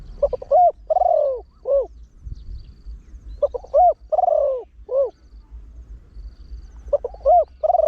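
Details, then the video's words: Trained spotted dove with a big voice crowing often in the 'khan yon 1 kuk' style to attract wild birds. Two complete cooing phrases, each with short lead-in hoots, a long descending coo and an end note, are followed by the start of a third. "เสียงนกเขาใหญ่ 3 (เสียงใหญ่) ขันโยน 1 กุ๊ก ขันถี่ นกป่าเข้าร่วมเร็ว"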